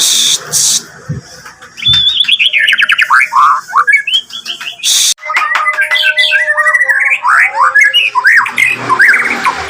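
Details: White-rumped shama, agitated and eager to face a rival, delivering a varied song of loud whistled phrases, rapid slurred notes and chattery bursts, with brief broadband clicks and knocks between phrases.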